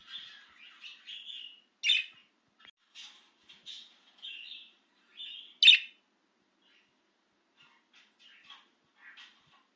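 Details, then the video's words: A budgerigar, excited and free of its cage, makes short broken phrases of buzzy chirps and warbles, with two louder sharp squeaks between them, then softer scattered notes toward the end. "Make Your Budgie Chirp with This Excited Budgie Out of its Cage!"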